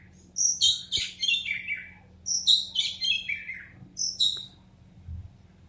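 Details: Oriental magpie-robin in "batuk" style, giving three descending phrases of harsh, chattering high notes, each tumbling from very high to lower pitch, separated by short pauses, with a faint background hum.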